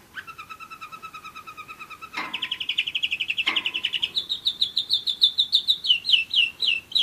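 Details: German Roller-split canary aged one year in song: a fine, even rolling trill that swells into a louder rapid roll, then a series of bright downslurred notes repeated several times a second.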